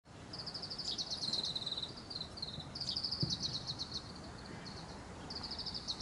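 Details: Oriental greenfinches sing high, rapid, metallic twittering trills in short bursts from inside a camphor tree's foliage at 17:32 on 25 April 2018, later moving to a power line; steady background hiss.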